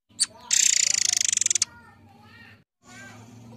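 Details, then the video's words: Murai Air forktail song played as a lure: a sharp high note, then a fast, harsh, pulsed rasping trill lasting just over a second, with low murmuring underneath. "Ocehan burung Murai Air"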